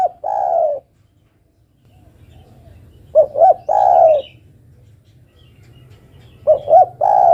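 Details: Spotted dove female calling a male, giving repeated phrases of two quick hollow notes followed by a long, slightly descending coo, about three phrases in seven seconds with quiet gaps between.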